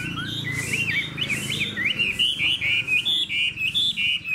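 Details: A caged hwamei with a spread tail and good voice sings bright looping whistles that climb and fall, becoming a regular string of sharp high phrases, with soft low rumbling behind.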